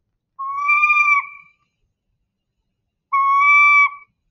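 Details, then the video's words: Northern saw-whet owl, common in canyons, giving its scream-like call: two drawn-out, nasal, screaming wails about a second long each, separated by a two-second pause, with no other sounds. "but they also have a really cool call that sounds like a scream almost."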